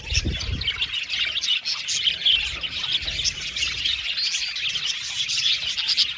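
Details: Colony of budgies in an aviary, lively overlapping high chirps, warbles and short squawky notes forming a constant chorus, with some low rumbling at the start.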